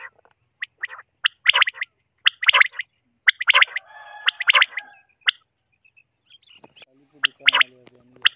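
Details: Three common quails, possibly females, give short, sharp, liquid call notes in quick clusters about once a second, with a fainter lower rasping sound behind; a recording used for quail hunting.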